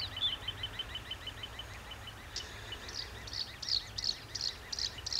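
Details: Black-browed reed warbler: a rapid string of short, high chirps, then a series of harsher buzzy notes repeated roughly every third of a second, with faint low background rumble.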